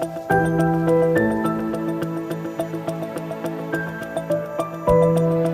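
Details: Gentle new-age music with sustained tones and soft, regular dripping plucks, and no animal voice.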